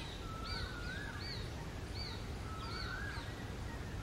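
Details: A young, hungry shikra chick calls to its parents for food. Thin, high whistled notes repeat roughly twice a second, with a lower drawn-out rising whistle, over a steady low rumble.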